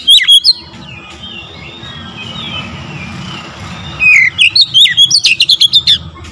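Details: Oriental magpie-robin singing in audio meant to provoke rival magpie-robins: a few loud whistles open, softer continuous warbling follows, then a loud run of rapid, varied whistled notes to the end, with faint low rumbling behind.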